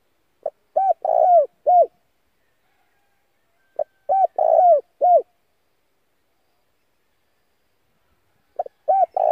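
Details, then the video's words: Spotted dove decoy calling used for luring and voice training; three evenly spaced coo phrases, each short notes around a longer rough middle coo, roughly every four seconds. "Tiếng cu gáy mồi gáy gọi kích bổi căng lửa"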